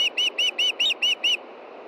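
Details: Female osprey calling for fish at a Montana nest late on a June evening: seven clear, high, arched whistles given at an even rapid pace, about four per second, over light background noise.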